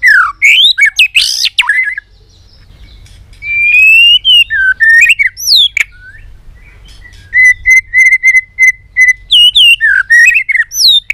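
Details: Fired-up white-rumped shama, flicking its tail, pours out a varied song of rapid sweeping whistles, a long steady whistled note, then a chain of quick repeated notes and bright upslurred whistles.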